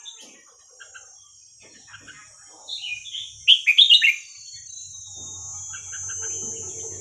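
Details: Red-whiskered bulbul singing the song style called hua krok khayao khuat, played for teaching young birds: one quick, bubbly warbled phrase of rising and falling whistled notes after faint scattered chirps, over a steady high whine and low hum.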